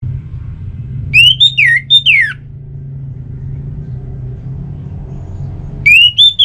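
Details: Orange-headed thrush song played to coax kept birds into singing: loud, clear whistled phrases of rising and sharply falling slurred notes, rich in overtones, with a pause between phrases over a steady low rumble.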